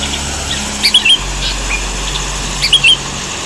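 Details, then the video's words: Sooty-headed bulbul (Pycnonotus aurigaster) giving two bursts of bright, bubbly whistled notes about two seconds apart, over a steady low hum; lively song used as tutor recording for other songbirds. "Masteran kutilang gacor"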